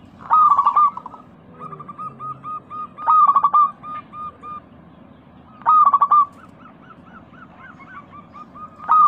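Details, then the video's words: Lure recording of lively local zebra doves for therapy of caged doves that stopped singing. Loud trilled coo bursts roughly every two to three seconds alternate with soft repeated coos and a faint wavering series, over low hum. "Pancingan burung perkutut lokal gacor suara kristal paling ampuh."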